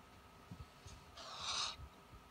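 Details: Captive Spix's screech owl indoors, watching a mouse cursor on a computer screen; a single harsh, hissing rasp lasting about half a second, with faint soft knocks in the background.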